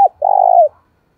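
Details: Spotted dove cooing to provoke and lure wild doves. A short clipped note leads into one long, loud, steady hooting coo that falls slightly at its close, then silence.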